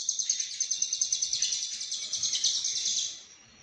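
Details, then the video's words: Lovebird in full song, a fast run of sharp, buzzy chirps repeated about three times a second, high-pitched and steady for three seconds before fading out. "Lovebird Konslet Full Isian"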